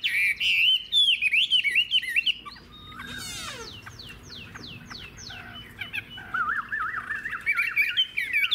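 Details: Adult wild-caught Chinese hwamei with a fig-leaf-shaped tail and long body, singing loud, varied whistled phrases that rise and fall, broken midway by a run of fast, sharply descending notes before wavering whistles resume.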